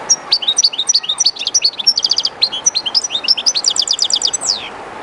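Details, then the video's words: European goldfinch singing at the edge of the Jerte river, a little uneasy in the new spot: a continuous sparkling stream of twitters, several quick trills of evenly spaced notes, closing with a falling slur over river noise. "JILGUERO CANTANDO EN EL RÍO/Goldfinch singing in the river/Chardonneret chantant dans la rivère"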